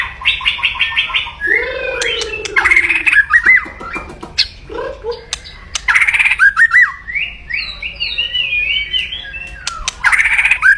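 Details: White-rumped shama in loud, aggressive kretekan crackling song to rouse rivals: rapid ticking runs, a low slurred whistle, harsh rattling bursts and clear rising phrases, repeated in energetic bouts.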